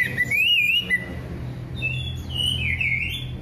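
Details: Orange-headed thrush song used to prompt silent birds to sing: a clear whistled phrase rising and wavering near the start, then higher slurred whistles later, over a steady low hum.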